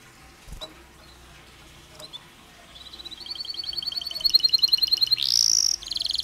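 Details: Canary song with pauses, used to stimulate other canaries: quiet scattered notes build into a rapid rattling trill that rises in loudness, followed by a brief piercing note and a short fast phrase.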